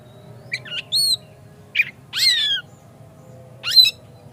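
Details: Oriental magpie-robin (kacer) sound played as a lure to provoke another kacer into singing hard and opening its tail; short bursts of high whistled, squeaky notes and upslurred chirps, about five phrases in four seconds, over a steady low hum.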